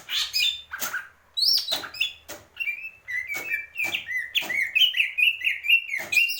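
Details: Greater green leafbird in a lively song of sharp whistled slurs and chirps, high notes at the start giving way to a steady string of bright rising whistles, with some clicking sounds between phrases.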